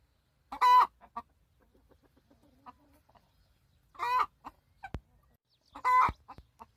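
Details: Hen screeching loudly, complaining that its nest was taken: three harsh, buzzy, harmonic-rich squawks about a second or more apart, each followed by short softer clucks, with a sharp click and quiet pauses between.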